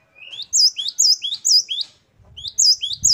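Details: Gelatik batu, the great tit, delivering loud high notes that rise and hook, repeated several times in a quick rhythm. After a brief pause a second phrase follows over a faint low rumble.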